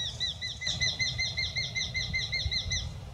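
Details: Eurasian hobby at dawn in the Iberian Peninsula, giving its sharp, high-pitched call: a fast, even series of short downslurred notes repeated about two or three per second. Low rumbling background noise is present.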